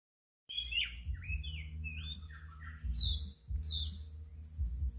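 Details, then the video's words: Birdsong praised as wonderfully soothing: varied whistled phrases, some sliding downward and others rising, with higher buzzy notes later, over a steady high hiss and a low background hum. "Luar biasa suara burung berkicau yang begitu sahdu"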